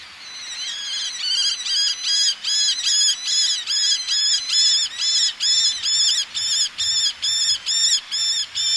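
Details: Male Eleonora's falcon calling close to the microphone: a fast, steady series of harsh, nasal, high-pitched notes, about two per second, with females calling from ledges in the background over a faint wash of sea.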